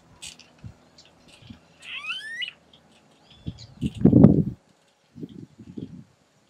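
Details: Smooth-billed ani in the wild, facing the recorder and giving a show of songs: a brief whining, upslurred whistle rising sharply in pitch, followed by low thumps and rustling nearby.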